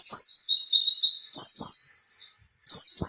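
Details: High, rapid oriental white-eye song played to stimulate young captive birds to sing back: a dense chain of sliding, twittering notes, a brief gap, then another burst.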